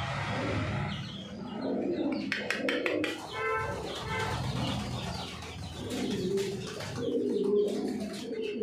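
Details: Racing Homer pigeons at a large pigeon farm in Thoothukudi, Tamil Nadu, India: low soft cooing rising and falling throughout, with sharp clicks or flapping bursts in the middle and steady background rumble.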